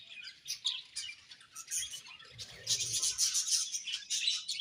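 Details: Budgerigars twitter in rapid high chirps, rising in intensity after the middle into a dense squeaky chatter, with a soft rustle partway through.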